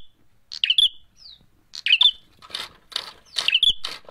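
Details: Fighting call of a bar-winged prinia: clusters of sharp chirps and trilled flourishes, interspersed with harsher rasping bursts, coming in quick irregular bouts.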